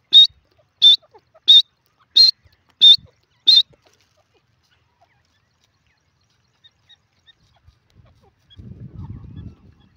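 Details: Grey francolin (teetar) in India: six loud, sharp, high notes in quick regular succession during the first four seconds, then silence and a short low rumble near the end.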